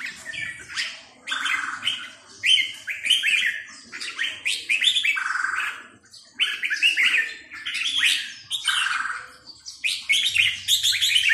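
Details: Continuous red-whiskered bulbul singing in the sai nap dok line, a string of rich, slurred whistled phrases repeated about every second or two with short pauses, a low hum audible near the end.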